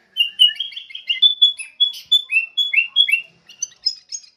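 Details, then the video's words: Song of a sooty-headed bulbul, used as a lure to train songbirds. A lively string of whistled notes rises and falls, delivered rapidly with short gaps, and grows higher and thinner toward the end. "PIKAT SUARA BURUNG KUTILANG (MASTERAN)"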